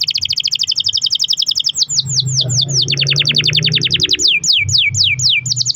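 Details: Canary in long-roll singing, played to make other canaries respond: a rapid even trill, looping slurs, a second fast trill and spaced sweeping notes over a low background hum.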